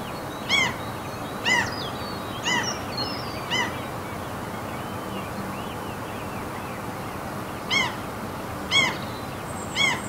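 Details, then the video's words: Norwegian fjord ambience with seagulls: a run of four rasping, harmonic calls about a second apart, a pause of several seconds, then three more, while faint high chirps and a low continuous rush of wind or water fill the background. "NORWAY SEAGULLS FJORD AMBIENT SOUNDS MOUNTAINS"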